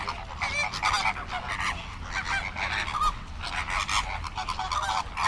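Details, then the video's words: Many flamingos honk at once, a thick, noisy chorus of short nasal goose-like calls with no break between voices. "Flamingo bird facts and sound for kids"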